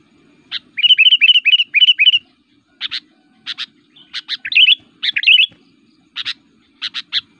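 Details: Sooty-headed Bulbul (kutilang) in aggressive, highly active fighting song that provokes other bulbuls, used as a lure call in forest or as a tutor song. It gives a rapid run of five warbled, bubbly phrases, then sharp paired chips and rolling notes.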